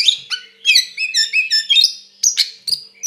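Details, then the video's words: White-rumped shama, a loud fighting song meant to provoke and anger another shama: rich whistled and warbled phrases with sharp upslurred notes and quick trills, bright and high-pitched, delivered in short bursts separated by brief pauses. "SUARA BURUNG KACER GACOR NGEPLONG TARUNG KONSLET TERAPI AMPUH BUAT PANCINGAN KACER AGAR EMOSI"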